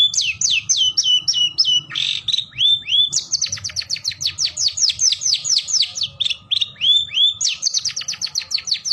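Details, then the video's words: Indonesian long-tailed shrike (cendet or pentet) in gacor song: quick falling whistles, a harsh rasp, looping rising notes, then a long rapid volley of sharp downslurred chips around three per second. "SUARA BURUNG CENDET GACOR - SUARA MERDU"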